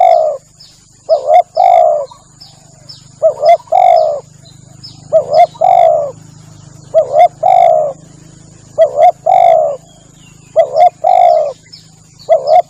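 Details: Lure call of a Spotted dove for attracting doves: steady series of cooing phrases, each a short doubled note then a longer smooth coo, repeating about every two seconds, with faint thin bird chirps and a low hum behind.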